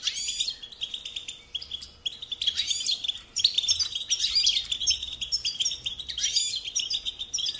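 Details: Goldfinch song for training young songbirds: long run of lively, tinkling twitters and fast trills, with short dips in volume and several sweeping slurred notes spread through the phrase.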